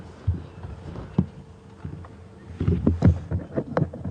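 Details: Low thumps and knocks over a vehicle rumble, with no animal calls.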